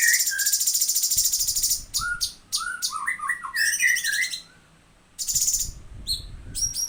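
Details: Full 'tembakan' delivery from a cucak cungkok: a loud, high, fast rattling trill, then a run of clear mid-pitched whistled notes rising and falling, and further high buzzy bursts after a short silence.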